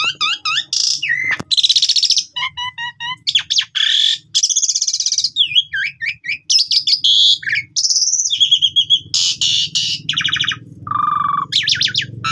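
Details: Asian pied starling lure song for bird training, packed with varied fill-ins. It mixes squeaky whistles, grating buzzes, rapid chip series and low warbles in an unbroken medley, with a soft low rumble underneath.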